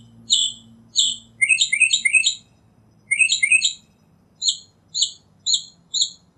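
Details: Varied northern mockingbird song of sharp, high chirps: paired notes, then a fast run of descending clipped notes, a short repeat of that run, and finally a steady series of single chirps about half a second apart.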